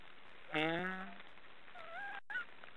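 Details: Black storks snoring: one loud, harmonic, slightly descending nasal call lasting under a second, followed by a softer rising and falling whistled note, over a quiet background hiss.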